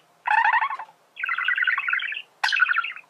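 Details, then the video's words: A male budgerigar warbles in three quick bursts of rapid, scratchy chattering notes, each about a second long, with no other sounds. "تغريد ذكر بادجي"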